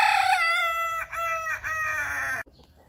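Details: Kukuak Balenggek rooster raised as a hobby bird, giving a sustained harmonic crow of about two and a half seconds, broken into several linked sections with slight dips, ending abruptly; faint low background hum.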